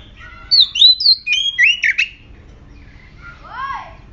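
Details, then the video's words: Aggressive ('galak') oriental magpie-robin song used as a lure to provoke other magpie-robins into singing: a rapid burst of loud, varied whistled notes, sharp rising and falling slurs and a harsh squawk, then, after a pause, a quieter arched downward note. "Murai Kampung Galak"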